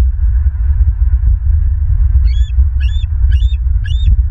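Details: Bald eagle calling at a Southwest Florida nest on the afternoon of 27 May 2023, four thin, high, piping squeaks in quick succession, heard through heavy rumbling wind noise.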